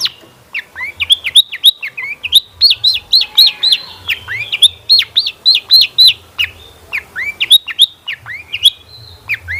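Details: Long-tailed shrike lure song to make other shrikes sing, a long run of hooked, downslurred whistled chirps repeated about three to four times a second in varied groups.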